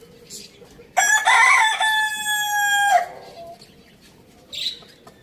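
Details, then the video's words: Rooster on a village farm crowing once, a loud harmonic cock-a-doodle-doo lasting about two seconds and ending in a falling tail, followed by quieter background chirps. "Amazing rooster crowing sounds"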